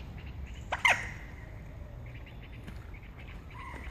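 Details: Two common moorhens in a serious fight on Heslington West lakes; one sharp, loud, harmonic call bursts out near the start, followed by faint scattered notes against low outdoor rumble.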